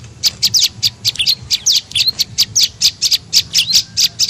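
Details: Olive-backed tailorbird call played as a lure for birds: sharp, high chirps about four per second, a few with short rising or falling slurs, faint low hum behind.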